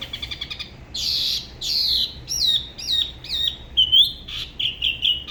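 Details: Spot-throated babbler from Da Lat, La Ba river, Vietnam, singing solo in an unusual style for the region: a rapid stuttered series of high notes, then broad harsh bursts, then clear slurred whistles falling and rising, ending in repeated short whistled phrases.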